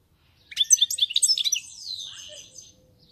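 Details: European goldfinch song: a rapid series of bright, liquid twittering notes followed by a softer descending trill and a few trailing chirps.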